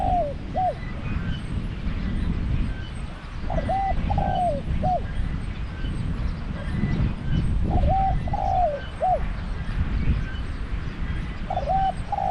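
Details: Spotted dove used as a trapping decoy, calling repeatedly in a deep voice. About four cooing phrases follow roughly every four seconds, each a double coo, falling croo and short final coo, over steady low rumble.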